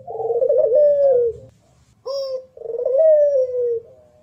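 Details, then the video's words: Clear recording of a local Barbary dove, puter pelung, for competition singing: a rolling, trilled coo easing downward, a short abrupt note, then a second long purring coo that slowly falls. "Masteran Puter lokal power rapet jernih 1 jam non top"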